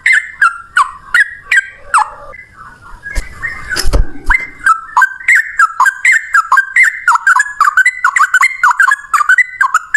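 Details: Yellow-vented bulbul singing a long unbroken bubbly phrase of quick liquid whistles; a short rustle and thump interrupt the notes midway before the rapid chattering resumes and grows denser.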